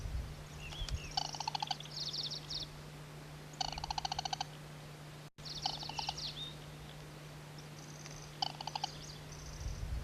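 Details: Band-bellied crake (Zapornia paykullii), a rare vagrant, north of Vladivostok around 18 June 2000, giving short bursts of rapid, harsh rattling pulses every two to three seconds over a steady low hum, with thin high notes from other birds.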